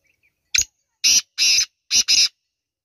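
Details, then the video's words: Grating call of a black francolin (kala teetar): one brief sharp note, then a pattern of four coarse, buzzy bursts, the last two run together, in an otherwise quiet recording. "Kala Teetar ki awaz | Black partridge Voice"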